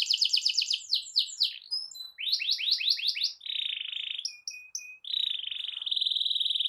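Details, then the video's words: Canary performing a rolling song to set other canaries singing: fast falling trills, clipped whistles, then long steady buzzy rolls at high pitch. "Kicau Kenari Gacor Efektif PANCING EMOSI Kenari lain Cepat ikut gacor Ngerol panjang"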